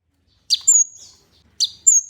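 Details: Olive-backed sunbird (kolibri ninja) singing a tutor and lure song. Two paired phrases, each a sharp downward chip followed by a thin, high, drawn-out whistle, spaced about a second apart in a quiet background.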